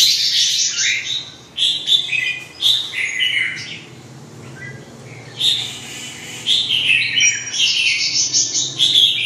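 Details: Red-whiskered bulbul delivering lively, bright warbled phrases of quick chirps and slurred whistles, a burst of several seconds, a brief lull, then renewed rapid chattering phrases, loud and close with low background hum.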